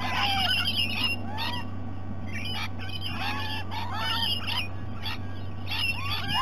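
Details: Several rainbow lorikeets visiting at breakfast time at Sydney Olympic Park, Australia, give harsh, grating screeches and chattering squawks in quick irregular bursts, over a steady low hum.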